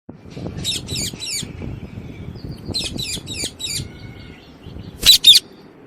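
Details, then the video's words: Alexandrine parakeet giving harsh, buzzy screeches in quick runs of three, two bursts spaced a couple of seconds apart, then a louder double shriek near the end over a soft rumbling background. "Parrot Talking and Parrot Sound"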